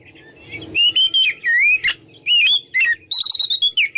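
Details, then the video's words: Oriental magpie-robin singing boldly to provoke rivals to fight; sweet whistled phrases with swooping slurs and fast chirps, over a faint low background hum at the start. "PancinganKacerNgeplong|| Bikin Lawan Ngajak Tarung"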